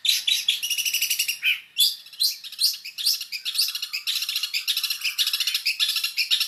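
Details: Mixed fill song of a long-tailed shrike, recorded as a tutor for songbirds. Dense, continuous high chatter, rattling trills and sharp squeaky notes run together with hardly a pause.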